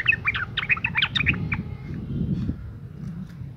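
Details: Female sooty-headed bulbul in breeding condition, calling to attract males; a quick burst of lively chattering chirps for about a second and a half, then fading into low background noise.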